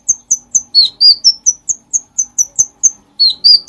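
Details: Lively bulbul song for teaching other songbirds: rapid high chips at a steady pace, broken twice by lower, fuller slurred whistles, then resuming the thin repeated notes, all clean against a quiet background.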